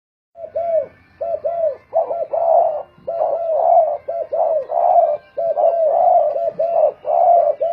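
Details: Spotted dove, a decoy bird, cooing in a singing contest: low, mellow coo phrases of several notes, repeated about once a second with short pauses between groups.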